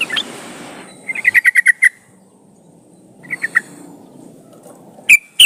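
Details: {'caption': 'Yellow-vented bulbul (trucukan) lure sound for making trucukan sing: a clipped note, then a rapid string of about six bright repeated chirps, a shorter trio later, and two sharp loud notes at the end.'}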